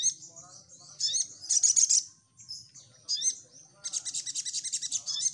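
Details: Crimson sunbird singing energetically as a lure to draw answering birds: shrill chittering bursts, then a long even run of rapid high chips toward the end.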